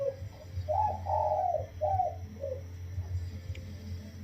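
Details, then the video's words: Spotted dove from the wild, kept caged for 16 days, calling one full single-kuk coo phrase in a soft, sweet voice: a short opening note, a long smooth hoot, then two shorter closing notes, over a low steady hum. "คลิปเสียงนกป่า อายุกรง 16วัน มาให้ชม ขันโยนกุกเดียวเต็ม เสียงเพราะ เสียงนุ่ม ฟังแลัวสบายหู"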